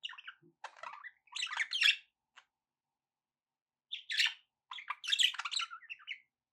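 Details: Budgerigars squawking and chirping in two lively spells of harsh, buzzy notes, the first ending in a short click and the second starting after a quiet pause of about two seconds.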